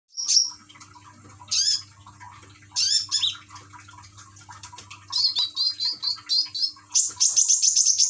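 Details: Caged common iora in Gresik, East Java, Indonesia, singing while played a trickling-water track meant to calm it and prompt singing; high sharp chirps and whistles, ending in a rapid series of repeated whistled notes, with faint low hum beneath.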